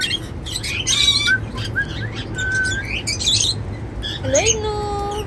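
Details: Singing cockatiels at their seed meal give rapid high chirps and short whistles, then end on a loud, harsh, harmonic-rich squawk that bends upward, all over a low, constant hum.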